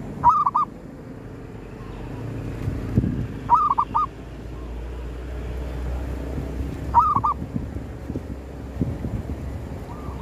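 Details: Zebra dove calling while wild birds are lured at a cemetery: three short clusters of rapid cooing notes, roughly three seconds apart, with soft rustling and a low rumble behind.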